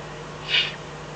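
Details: Eifel Eurasian eagle-owl, night of 24 May 2014, 03:40–04:18, fox brought as dinner. One breathy, hushing hiss rising and falling within a fraction of a second against a quiet steady hum.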